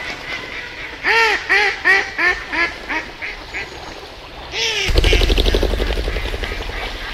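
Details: Six or seven loud, clear duck quacks come in a quick, slowing series after a quiet start. Around the fifth second a harsh rushing, rustling noise takes over.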